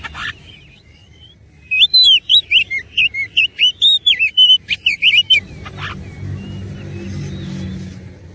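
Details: Oriental magpie-robin singing persistently in a combative mood, a sustained chain of fast, varied whistled notes and loops packed with mimicked phrases, ending abruptly and followed by low background rumble.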